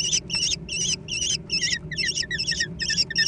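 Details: A steady string of shrill, wobbling squeals, some with a lower falling note, as young American kestrels scramble for food.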